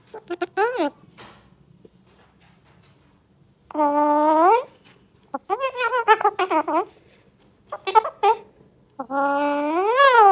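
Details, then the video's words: Talking tame Alexandrine parakeet in a small room, giving fast clipped syllables, a long buzzy nasal word, a run of chattering speech-like notes and a final loud drawn-out word that rises and falls. "Alexander Parrot Talking Mithu || Bolne Wala Tamed Raw Parrot"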